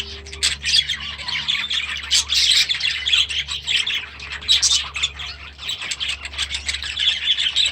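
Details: Young budgerigars released into a new aviary this season; loud continuous chirping and warbling from many birds over a low background hum.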